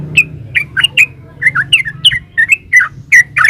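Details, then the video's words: Lively gacor ropel song of a yellow-vented bulbul: a steady stream of bright, slurred chirps, roughly three per second, each note rising or dipping, over a soft low hum. "Suara burung trucukan GACOR ropel uplik"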